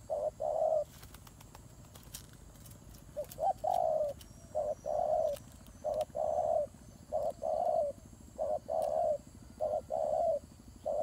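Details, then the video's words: Turtle doves, described as fighting: a series of short, low cooing notes, each under a second, repeated in irregular bursts roughly every second, with faint clicks and a quiet background hum. "God dove Fighting"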